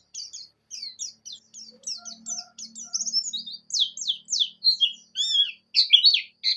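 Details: Javan white-eye (pleci buxtoni) song played to coax a bird into singing: rapid high chirps and slurred notes, about two per second, growing louder and faster toward the end, with a faint low hum midway.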